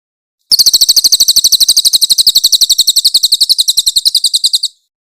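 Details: Grey-headed canary-flycatcher, a clear master recording for training songbirds, with loud rough 'tembakan kasar' shots: a fast, even run of shrill, high, buzzy notes lasting about four seconds, then stopping abruptly.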